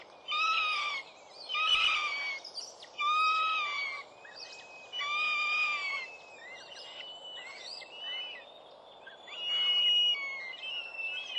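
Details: Northern goshawk young at a New Forest nest, 11 June 2012, near season's end with four young fledged. Several separate long, plaintive whining calls, some slurring downward, alternate with quieter gaps over about eleven seconds.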